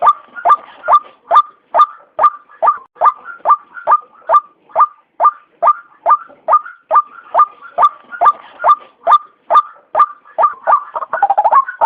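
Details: White-breasted waterhen call used to lure birds into traps: a long, regular run of hollow, upslurred kook notes, about two per second, turning into a jumbled chatter at the end.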